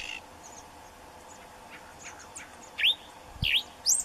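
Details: Yellow cardinal, mostly quiet at first with faint distant chirps, then three loud, sharp rising whistled notes spaced about half a second apart near the end, plus a brief low thump.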